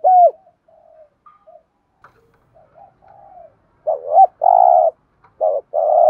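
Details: Spotted dove coo, the thúc gù urging style: an opening coo, scattered soft low murmurs, then a rising double coo and long steady hoots near the end, in a clean, quiet recording.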